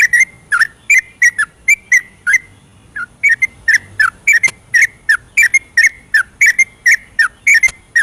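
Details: 'Ropelan' song of a yellow-vented bulbul at night, used to encourage lazy birds to sing: continuous run of bubbly, slurred whistled notes, a brief pause near the middle, then an even denser stream.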